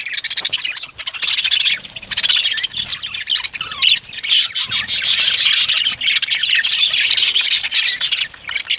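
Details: Budgie breeding colony in Pakistan giving an almost unbroken wall of high chirping and warbled squawks from numerous birds, dipping briefly twice.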